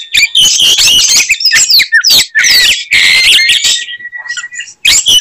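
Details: Oriental magpie-robin singing a fighting song to provoke other birds: rapid harsh chatter and sharp whistled sweeps, ending in a thin sustained whistle and a quieter pause before a final burst.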